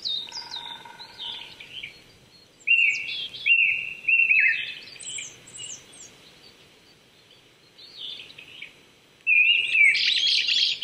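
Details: Japanese thrush singing on an April 2019 morning at 800 m in Saitama Prefectural Forest, Chichibu, Japan: bright, varied whistled phrases with quick repeated notes and high thin flourishes, short pauses; another bird calls faintly at the start.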